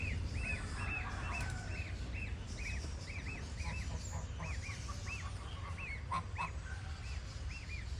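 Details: Gosling calling: a series of short, high, arched peeps, roughly two per second, repeated steadily for eight seconds over a constant low rumbling background noise.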